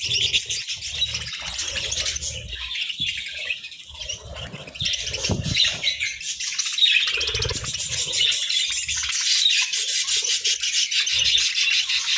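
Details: Budgerigars sunbathing, giving a continuous dense chatter of high, scratchy chirps and warbles, with brief low thumps and rustles beneath.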